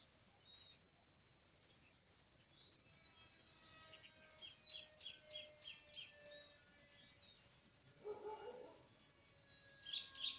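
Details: Oriental magpie-robin in forest during a bird-trapping outing on 24 March 2017; varied run of clear whistled and chirping notes, high and fast, with a brief low rushing burst near the end.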